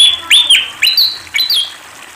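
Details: Sunda pied fantail song: four high, clean whistled notes in quick succession, each swooping steeply upward and then leveling, with a short echoing tail and a quiet background.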